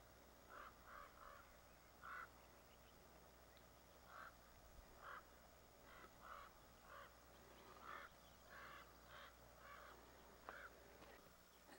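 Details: At dusk, Common raven parents protecting nearby fledglings harass a large adult bobcat, giving short, harsh, hoarse calls again and again, often in quick pairs or threes, about twenty in a dozen seconds, over faint hiss.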